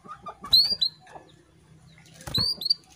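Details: A female canary calls to a male to rouse him into breeding readiness. Paired arched tweets, each a high curved note followed by a shorter one, come twice, with faint chirps and a low hum between them.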